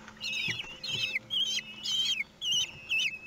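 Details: Common kestrels at the nest at feeding time, 2 June 2020, in Théding, France, watched by webcam: short bursts of high wavering, trilled calls repeated about every half second.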